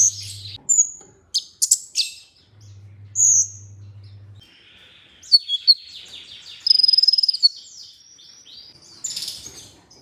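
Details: Olive-backed sunbird singing for training audio to make other sunbirds sing: scattered high chips and short whistles, then a rapid, very high trill and a brief burst of notes, with low hum at intervals.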